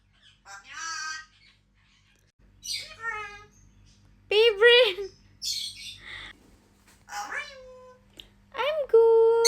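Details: Red eclectus parrot saying good morning in greeting. Several short, harmonic, voice-like bursts are separated by pauses, mixed with a person's talking and faint music.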